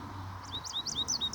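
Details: A male American goldfinch in Iowa, recorded up close and handheld, sings a quick run of high, twittering notes, some swept up and down, about four per second, over a faint low background hum.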